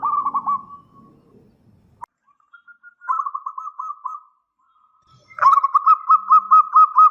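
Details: Zebra dove, a local bird singing actively as a lure that draws quick answers: short pulsed coo phrases separated by gaps, ending in a loud, steady run of rhythmic bubbling notes.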